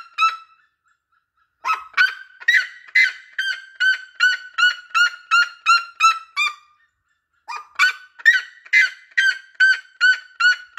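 A red-legged seriema gives loud, harsh, yelping notes, about two or three per second, in two long runs separated by a short pause.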